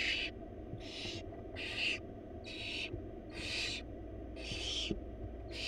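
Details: Four wild barn owl chicks beg in a monitored nest box as the mother brings a huge rabbit; repeated short hissing screeches, about one every second, each a noisy burst, over faint low hum.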